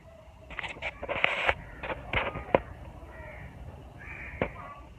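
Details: Birds around neem and moringa trees with winter coming on: a string of loud, raspy cawing notes in the first two and a half seconds, then softer, drawn-out hoarse calls and a sharp knock over faint low rumble.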